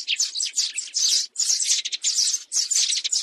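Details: Sparrow lure sound for trapping: loud, sharp bursts of high chirping in quick clusters, each burst about half a second long, separated by brief gaps.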